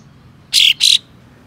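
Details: Coarse provoking call of a white-shouldered triller, used to make other trillers spread their tails; a single loud scratchy double rasp, two short noisy bursts in quick succession, against a quiet background.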